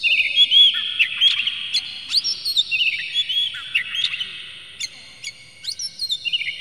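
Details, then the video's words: Oriental magpie-robin agitated song with tail spread, played to provoke singing in others: loud long whistles, slurred downward notes, and scattered sharp clicks, quieter towards the end. "dijamin kacer langsung ngamuk2 dengar kacer ini bongkar emosi buka ekor ngobra full isian"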